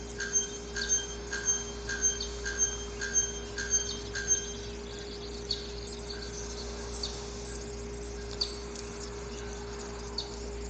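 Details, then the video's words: Male bare-throated bellbird in the wild, giving its ritual breeding song to attract females, described as a powerful anvil-hammering sound heard far away: loud ringing metallic notes about twice a second for four seconds, then sparse fainter strikes over a steady background hum. "Araponga Cantando na Natureza!"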